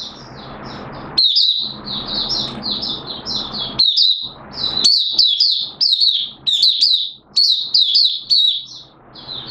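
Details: Singapore, 29 March 2023, warm and humid with sudden showers: a Malaysian Oriental white-eye delivers its 'buka sing' opening song, dense runs of sharp, sweet high notes, over steady rushing noise early on, then cleaner rapid twitter bursts.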